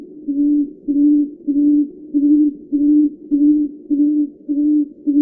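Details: Repeated soft, low-pitched 'oom' calls of a tawny frogmouth, level and steady, about nine notes delivered at a regular pace of roughly 100 a minute; nothing else audible.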